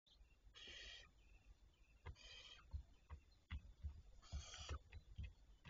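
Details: Barn owls on 27 May 2023 at 07:52 give three harsh, hissing screeches, each about half a second long and spaced roughly two seconds apart, with low thumps and knocks underneath.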